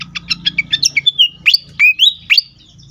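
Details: Agitated fantail, used to lure birds. A quick series of short ticks leads into loud, sweeping whistles that rise and fall, each separated by brief gaps.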